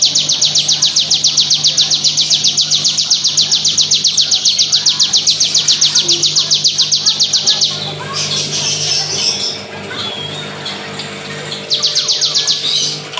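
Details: Crystal-type Bar-winged prinia in a dense, nonstop 'bren' rattle, lightly processed with simple effects: a long run of rapid, even, high buzzy notes for about seven seconds, then scattered twittering chatter, before the fast rattle resumes.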